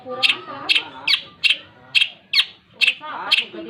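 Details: Long-tailed shrike singing actively: short harsh, rasping notes repeated roughly every half second, with soft murmured speech underneath.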